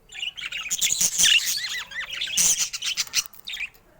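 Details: Pet budgerigars with colour mutations: busy warbling with repeated down-slurred whistled notes and scratchy chirps, several birds overlapping.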